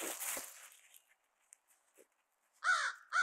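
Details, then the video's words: During a dive-bombing campaign against black vultures that took their food, on Christmas Day, crows give two loud, hoarse caws close together at the end, after a burst of rustling noise and a quiet gap. "Crows Dive Bomb Vultures on Christmas Day"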